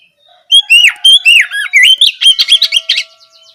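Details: Evening ngeplong song of an Oriental magpie-robin, played to stimulate another to reply: a rapid, varied run of bright whistles, looping slurs and short chips, ending in quick clipped notes.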